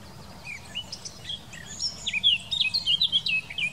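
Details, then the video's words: Eurasian blackcap song from the Wittlich valley, Germany, 2018: a few soft, scattered notes, then a burst of loud, rich fluting whistles that swoop up and down in quick succession, with steady low background hum. "Mönchsgrasmücke singt"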